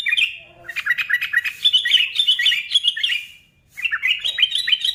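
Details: Sooty-headed bulbul singing a long, rapid sequence of bright chirps and warbled notes to provoke others of its kind, pausing briefly before a final quick burst.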